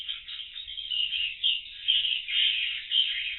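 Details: Many swiftlets in a void room before going to roost, monitored by CCTV: a constant high, buzzy chatter of overlapping twittering calls with slight swells in loudness.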